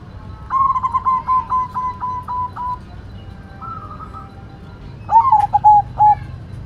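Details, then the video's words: White zebra dove in full song with a bouncing voice: a soft whistled opening, then a rapid stuttering run of short cooing notes, a pause, and another shorter rolled phrase ending in clipped coos. "Perkutut Putih Gacor Suara Mantul"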